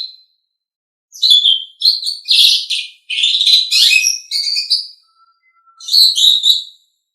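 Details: Asian pied starling tutor song: harsh, scratchy chatter phrases separated by short gaps, mixing squeaks and buzzy notes, with a faint low whistle between bursts and a final squeaky phrase.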